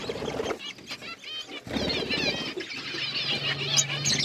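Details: Budgerigar flock in an outdoor aviary: a softer, busy twittering of wavering high notes, with a low steady hum under the birds in the second half.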